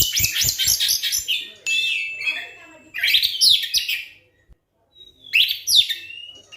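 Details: Oriental magpie-robin singing to provoke silent birds into song: dense runs of loud, varied whistles and scratchy chatter in three bursts, separated by brief pauses, ending with a clear whistled note and a final warbled flourish.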